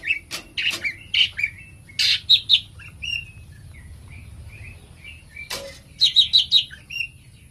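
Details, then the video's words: A cucak ijo, or green leafbird, sings loud ringing chirps and whistles at an uneven pace, with softer twittering in between and a fast run of four bright repeated notes toward the close. "#cucakijoemmositinggi #cucakhijaunusantara #cucakijogacor"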